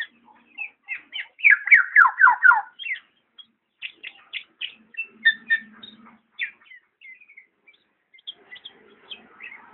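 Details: Black-naped oriole producing a quick run of downward-slurred notes, then looser chattering phrases that thin out into soft scattered chips.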